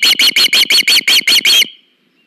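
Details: Osprey at a nest cam while the female receives a fish from her mate, August: nine loud, sharp whistled chirps in quick succession, then an abrupt stop and near silence.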